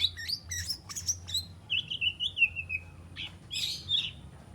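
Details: Young white-rumped shama, three months old and still spotted, rehearsing borrowed phrases and sharp notes; quiet high chips and a thin, drawn-out wavering whistle, followed by brief buzzy bursts.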